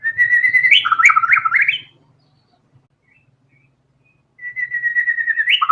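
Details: White-rumped shama singing: a whistled note breaking into rapid zigzag warbled notes, then a long silence before a second whistled phrase begins with an upward flick.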